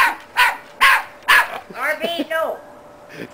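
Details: Pet cockatoo imitating a dog's bark indoors: three short, harsh barks about half a second apart, then wavering whining notes, with a woman saying "meow" nearby.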